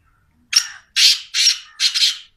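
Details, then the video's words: A Black francolin, known locally as teetar, gives a four-part call: one brief harsh note followed by three longer, buzzy, scratchy bursts with short gaps between them, against a quiet background. "Black francoline teetar sound"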